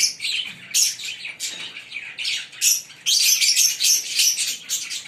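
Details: Green pair of Fischer's lovebirds singing with rapid high chirps, uneven at first, then a long unbroken stretch of shrill, squeaky chatter in the second half.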